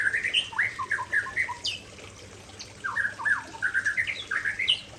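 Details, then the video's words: Aceh white-rumped shama singing isian material: bright, quick whistled phrases of looping and down-slurred notes, two rushed bursts separated by a short pause, with strong, clean tone throughout. "Murai Aceh Tumpahkan Isian Andalan"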